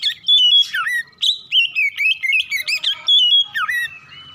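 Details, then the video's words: Oriental magpie-robin singing in the morning, a recording meant to make other magpie-robins sing rapidly: loud, varied whistled phrases with sharp upslurs and downward swoops, quick chattery notes packed between them, nearly continuous throughout. "PANCINGAN KACER PAGI HARI CEPAT NGROPEL BUKA PARUH"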